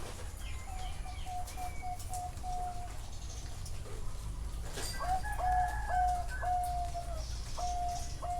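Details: Zebra dove song at a bird farm in Chana, Thailand. A thin run of even coos fades, then a louder burst of rolling trilled cooing follows, with other faint bird notes and steady background noise.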